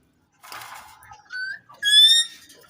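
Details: Caged Indian ringneck parrot giving a short burst of speech-like chatter, then a rising whistle and a loud, steady, bright harmonic note.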